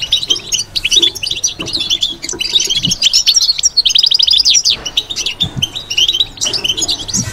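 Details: Caged European goldfinch pouring out continuous batbata song, dense high jingling twitters and fast buzzy trills with hardly a pause, faint low knocks now and then underneath.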